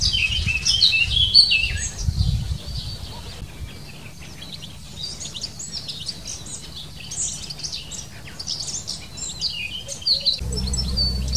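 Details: {'text': 'European goldfinch song: a long run of high, tinkling twittered notes in quick, uneven succession, over steady low rumbling background noise.'}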